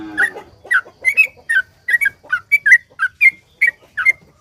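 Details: Long sooty-headed bulbul song for prompting other bulbuls: bright whistled notes delivered singly and in pairs at a lively pace, with a lower murmur at the very start.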